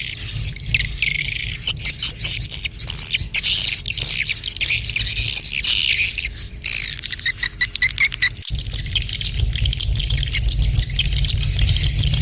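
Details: Mating chorus of swiftlets, called birahi beranak: crowded high, rasping twitters and clicks that rise and fall in waves, with a constant low background rumble and one sharp click near the middle.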